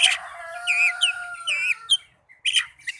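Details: Oriental magpie-robin song used to prompt caged birds into singing: sweet whistled slurs and curling notes over sustained tones, followed by a short pause and sharp chirps.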